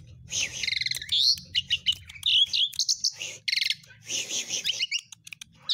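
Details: Song of a Javan pied starling with varied added notes, offered as a training model for other birds: rapid raspy buzzes, clicking chirps and a few rising and falling whistles in dense bursts, with a soft low hum in the background.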